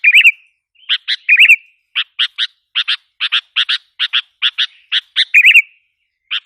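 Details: Sooty-headed bulbul lure sound to stir up wild bulbuls: opening warbled slur, then a brisk series of paired clipped chirps, another warble near the end and a final single note.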